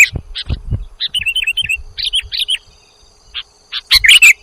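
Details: Sooty-headed bulbul calls from a lure recording meant to draw birds in: a run of short bubbly, wavering chirped notes, then a pause and a few sharp squeaky notes, with faint low thumps early on.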